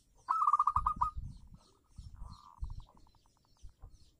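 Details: Local zebra dove song, a lure for doves that no longer sing: a loud burst of quick staccato coos, then a longer even note that breaks into fading pulsed notes, with soft low thumps behind.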